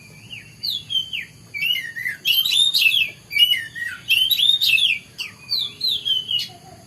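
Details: Oriental magpie-robin singing in the morning: varied whistled phrases that rise and fall, with sliding notes and bursts of quick twittering, delivered in short bouts with brief pauses.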